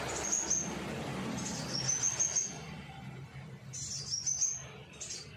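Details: Scarlet minivet song used to coax trainee birds into singing along: three bursts of high, thin whistled notes in quick rising strings, separated by pauses, with a soft low rumble underneath.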